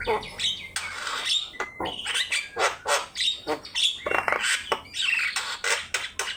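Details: Javan myna song for training other birds: a busy sequence of scratchy chips, buzzy squawks and short level whistles, repeated in rapid irregular pulses.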